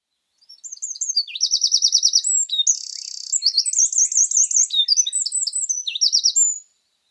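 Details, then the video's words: Eurasian wren singing in mixed woodland in Scotland: a loud, rapid outpouring of high notes with fast trills and a sustained buzzy rattle in the middle, lasting about six seconds, with no other sounds. "Wren song"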